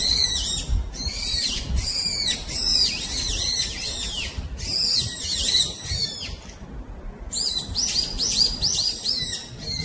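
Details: Brown-eared bulbul in the wild at Gyeyangsan, giving loud, piercing chirped calls in rapid clustered runs, notes arching and falling in pitch, with short pauses between bursts and a gentle low forest hum underneath.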